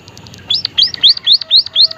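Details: White-headed munia, the emprit haji of Java and nearby islands, repeating thin, high rising whistled notes roughly every quarter second after a few faint ticking sounds.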